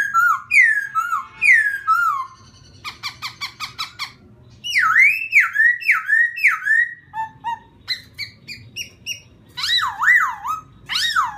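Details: Laughingthrush singing to stir up another bird: rich whistled song mixing downslurred notes, a run of short staccato notes, bouncing looping whistles, brief pauses, and ending with rolling up-and-down phrases.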